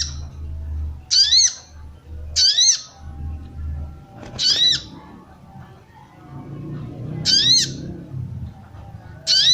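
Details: Female sooty-headed bulbul calls aimed at arousing males: five brief buzzy arched squawks in loose, uneven spacing, with a low hum and faint rustling beneath.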